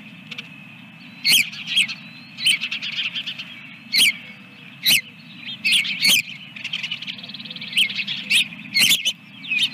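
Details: At the Dunrovin Ranch nest with a second egg, 24 April 2022 near 9 a.m., an osprey gives bursts of shrill whistled chirps every second or two, each with sharp clicky onsets, over faint steady hum.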